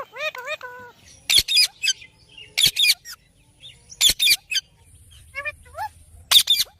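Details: A pet green ringneck parrot mimicking speech: a few wavering talk-like syllables, then repeated loud harsh squawks every second or so with softer warbles between.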